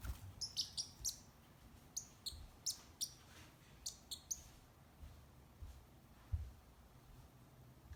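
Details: A Pacific parrotlet, a female hatched in 2014, gives short, high, sharp chirps in quick clusters, then goes quiet, over a low room rumble; she was taken to the vet for sneezing.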